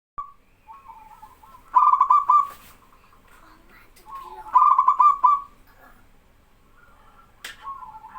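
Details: Local male zebra dove singing in full voice, prompting other young doves to answer. Loud bursts of rapid stuttering coos near two and five seconds, with softer wavering coos from answering birds in between.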